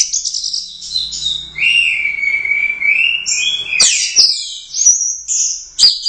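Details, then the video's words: Orange-headed thrush in competition form, a first-place Royal Cup winner, singing rich whistled phrases that slide between high notes, then a long steady whistle that rises into bright, rapid, varied figures. "Suara Burung Anis Merah | GACOR Teler Doyong Juara I Royal Cup"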